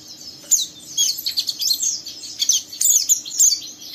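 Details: Fast, high, squeaky twittering from a young oriental white-eye doing rough 'ngeriwik' to provoke an untrained bird into calling; overlapping thin chirps and trills, a steady faint hum beneath.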